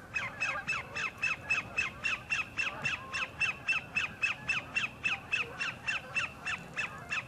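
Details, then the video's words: Sandpiper singing for a mate at the northern end of Horicon Marsh: a fast, steady series of sharp, downslurred notes, about three per second, running unbroken for over seven seconds over low marsh background noise. "SANDPIPER SINGING"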